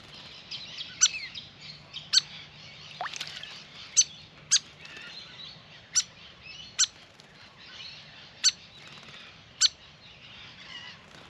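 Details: Grey fantail, a restless birdbath visitor, calling steadily: about eleven sharp, dry, high ticking notes, roughly one per second, over a backdrop of soft twittering from other birds.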